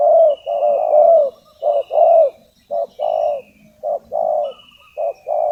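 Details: Spotted dove, a lure bird calling to draw in wild doves for trapping, gives repeated low coos in short and drawn-out notes, roughly one per second, with a thin high whistle from other birds above.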